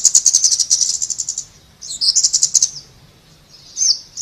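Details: Thin, very high trilled chatter from a scarlet-backed flowerpecker: a long fast ticking run, a second shorter burst, then a lone sharp note after a pause.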